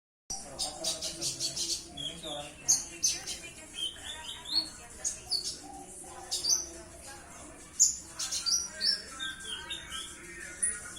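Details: Purple-throated sunbird, known locally as konin, a small nectar-feeding songbird prized by songbird hobbyists for its sweet voice and mimicry of other birds; rapid, very high thin chirps and twittering notes in irregular bursts over a faint low background hum.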